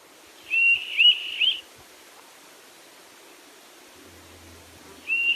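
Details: A begging juvenile Townsend's Solitaire, heard only in late summer, gives a polyphonic, hard-to-locate rising three-note pattern: high, pure whistles about half a second apart, then repeats; faint background hiss.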